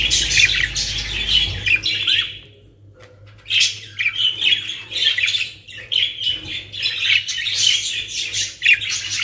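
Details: Flock of caged budgerigars in Pakistan producing loud, continuous squeaky warbling and chirping, broken by a brief quiet gap, then resuming in rapid overlapping bursts; faint low hum in the background.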